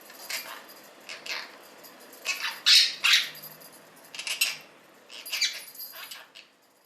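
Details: Blue Quaker parrot, male pet, playing with a bell toy in his morning routine; irregular raspy squawks and mumbling bursts, two loudest close together mid-clip, then softer grouped calls.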